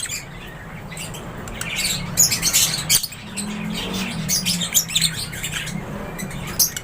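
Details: Lovebirds chattering in an aviary: quick high-pitched tweets and squeaky chirps tumbling over one another, loudest midway, with a soft low hum behind.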